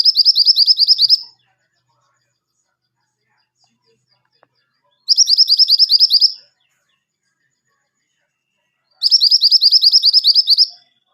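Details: Pied triller in lively song, used as a master recording for training caged birds: bursts of about a dozen rapid, high, buzzy chirps lasting just over a second, repeated every four seconds with silence between.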